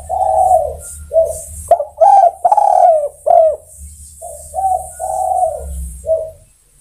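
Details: Spotted dove calling to other birds: a long series of low, hollow coos, some drawn out and some clipped, over a faint steady hum.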